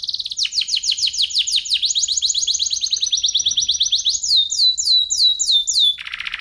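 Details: F1SF canary song used as training material for oriental magpie-robins and young canaries: a long run of rapid downward-swept whistles, shifting at four seconds to higher clear slurred notes and ending in a harsh buzzy burst.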